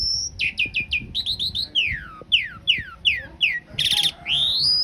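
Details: Master-recording song of an Asian pied starling for tutoring caged birds, in the rough-filling, long-roll style: clear descending whistled slurs repeated about once a second, quick clipped notes, and a harsh buzzy burst near the end.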